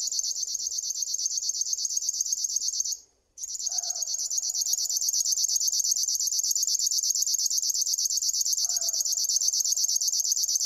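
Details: River warbler song: a dry, insect-like stream of rapid pulses that runs without pause apart from one short break near three seconds. A faint low note from another bird sounds twice.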